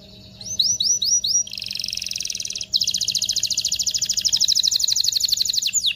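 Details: Excited canary song used to prepare male and female canaries for mating: a few quick upswept notes lead into long dense buzzy trills, a very fast rolling rattle holding for several seconds.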